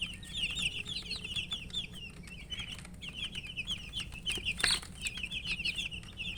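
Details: Murgi chicks peeping continuously while thirsty for drinking water and eating, a busy flock of high, repeated downslurred chirps, with pecking taps, one loud sharp knock midway, and a constant low hum.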